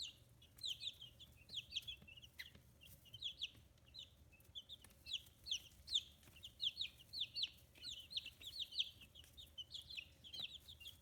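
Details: Fifteen-day-old chicks with growing feathers, raised by hand on a small free-range farm in Kitahiroshima, Hiroshima, keep up an eleven-second stream of bright, high chirps in repeated bursts, growing busier toward the end.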